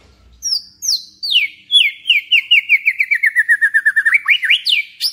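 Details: White-rumped shama song for provoking a kept bird to sing: high whistled notes sliding down, then a long rapid trill of about twenty repeated descending notes, ending in upward sweeps.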